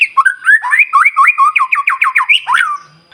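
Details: Continuously singing white-rumped shama, used as a lure to excite other shamas: a quick run of bouncing, slurred whistles repeated rapidly and ending in a sharp upward flourish.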